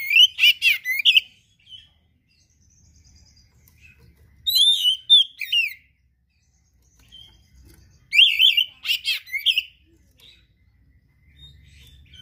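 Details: Kept oriental magpie-robin singing in loud bursts of mimicked material, each about a second long: quick whistled, wavering notes and buzzy strokes, the bursts separated by pauses of a few seconds.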